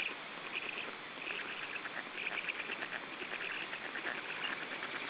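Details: Black stork young at the nest in Estonia, 14 June 2013, third week of life, clamour during feeding with continuous raspy, chattering begging notes pulsing quickly and blending into a noisy chorus.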